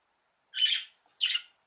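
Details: Two harsh, squawky chirps about half a second apart from a caged budgerigar in a small bird house, apparently calling its keeper over to play.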